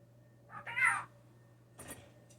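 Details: Blue jay raised indoors after falling from its nest, known to mimic sneezes and speech, giving a short harsh nasal call that rises and falls, followed by a brief noisy burst, over a faint indoor hum.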